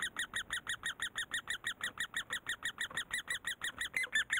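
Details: Great spotted woodpecker raising young in Korea: a very even string of short, sharp, slightly squeaky calls, about three per second, with a couple of thin whistled notes near the end.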